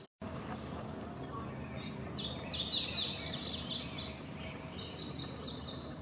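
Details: Indigo Bunting singing a bright, high run of quick paired notes lasting a few seconds over steady low rumble, heard in May in leafy forest along a boardwalk trail, with an Eastern Towhee also present nearby.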